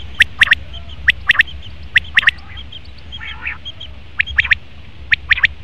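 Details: Male common quail giving its rhythmic three-note call roughly once a second, crisp high clicks in quick triplets, with a faint softer warble in between and low steady background hum.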